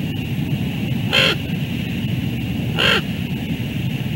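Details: Two harsh, nasal raven croaks about a second and a half apart on the Two Harbors bald eagle nest, as one bird snatches another's meal and a chase follows. A steady low rumble lies underneath.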